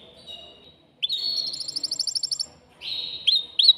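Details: Male canary in a cage sings in short bursts to rouse a female to mate. A soft thin note is followed by a loud rapid rattling trill, a pause, then a buzzy trill ending in two sharp accents.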